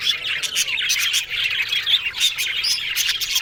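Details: Cheerful yellow budgerigars twitter busily, mixing bubbling warbles, upward-sliding chirps and short high squeaks with crisp clicking bursts.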